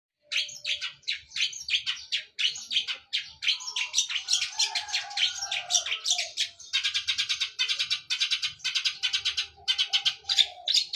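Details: Long-tailed shrike in fighting mood, singing while imitating sparrows: a dense, rapid stream of sharp high chirps and tweets, with bursts of fast, trilled repeated notes and no pause for eleven seconds.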